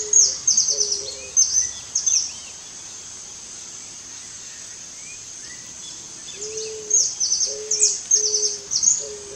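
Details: Eared dove with low, level cooing notes, some doubled, in two bursts separated by a quiet stretch; many high, scratchy chirps of other birds accompany the calls.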